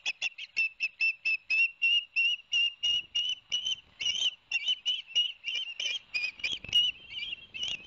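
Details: Long unbroken chain of some thirty shrill whistled chirps, rapid and slightly uneven, from an osprey on a live nest camera at Barnegat Light, New Jersey, 11 September 2021, the male having delivered two fish to the young.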